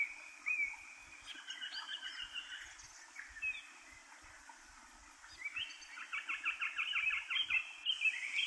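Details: Eastern Rosellas, three birds in an alder tree at Kapiti, New Zealand, eating seeds from the cones. Scattered thin piping notes give way to a fast rattling run of chirps near the end, with constant background hiss.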